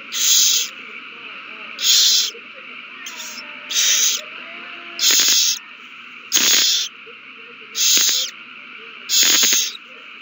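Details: Owls at their nest in a renewed frenzy after a mouse delivery, 21 March 2020; eight loud, harsh hissing screeches repeated roughly every second and a half, with sharp clicks within some bursts over a steady hum.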